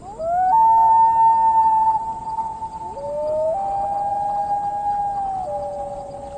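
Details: Common Loon wailing at night on a lake, one member of a pair calling "I'm over here": a long, mournful wail that slides up into a held tone, then drops in steps to lower sustained notes over six seconds.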